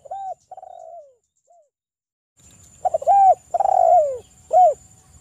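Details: Spotted dove song used to call a rival as local males answer: a quieter cooing phrase first, then a louder complete phrase of clicks, an arched coo, a long falling coo and a short final coo, with a thin high hum in the background.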